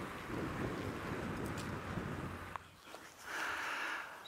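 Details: Steady wind rumble and broadband noise, with a brief knock near the middle and a hissing swell toward the end; no animal voice stands out.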